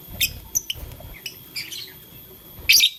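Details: Blue lutino and green lovebird playing with a flower, giving scattered short high chirps and tweets, ending in a louder harsh squawk-like burst, over soft low handling sounds.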